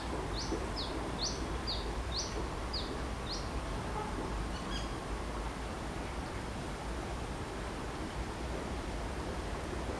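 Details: Brown-throated sunbird in the wild gives a quick series of high, clipped, slurred notes for about three seconds, then falls silent, leaving only a steady low rumble of ambient noise.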